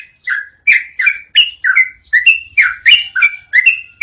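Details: Yellow-vented bulbul song meant as training audio for cage birds, with lively, liquid, clipped notes tumbling out in a quick uneven series, some stepping higher and others dropping, and a faint low rumble behind them.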